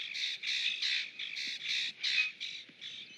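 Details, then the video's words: Rusty blackbird, called rusty grackle, feeding alongside other birds; harsh, raspy squawks in quick uneven bursts, roughly three per second, each broad and noisy, with short gaps between them. "RUSTY GRACKLE AND STRICK AND SPROCK EATING"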